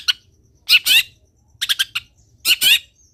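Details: Long-tailed shrike singing vigorously for other shrikes to copy: loud grating, harsh paired notes alternating with a fast stuttered run of short chips, over a faint low hum.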